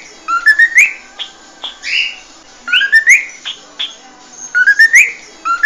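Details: Cockatiel song used for teaching a cockatiel to sing: bright rising whistled phrases that sweep upward and end in sharp chirps, repeated three times with short pauses between.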